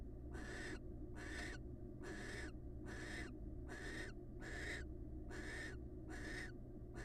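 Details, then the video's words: Wild barn owl pair bonding. Eight rasping, hiss-like bursts come roughly once a second, each a short noisy screech with a slight downward tail, over a constant low background drone. "Barn owl pair bond"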